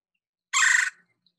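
A single loud, harsh, rolling chur from a Red-bellied Woodpecker, lasting under half a second, with nothing else heard.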